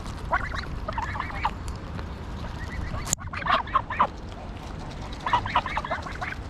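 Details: Greylag geese in Pearson Park, Hull, England, 22 August 2021, GoPro Hero9 recording: repeated harsh honking in several bursts, broken by a sharp click near the middle, with low background rumble throughout.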